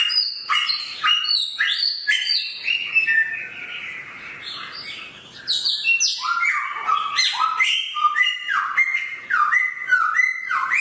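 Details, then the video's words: Samyong bird with a sharp voice delivering a long rapid song of clipped whistled notes and sweeping slurs, a brief softer warbling passage midway before the loud, choppy phrases resume. "burung samyong suara pedas"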